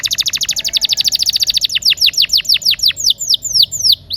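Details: Rolling canary song meant to stimulate non-singing canaries: a very fast, even trill of high notes. After about two seconds it slows into well-spaced, downward-slurred whistles, roughly three per second.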